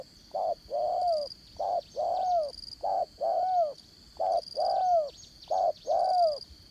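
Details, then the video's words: Spotted dove kept as a trapping decoy, with 'đồng son' voice in the 'dán cổ' style. It coos in repeated pairs, a short note followed by a longer slurred one, about every 1.5 seconds. A constant high insect buzz runs behind. "Bẩy Cu Gáy Dán Cổ, Giọng Đồng Son"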